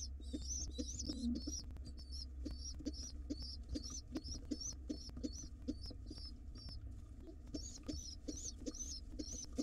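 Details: Wild pigeon nestlings in a nest box, hungry and being fed by their father, giving rapid, high, squeaky begging notes repeated almost continuously, with soft low rustling and a steady low hum underneath.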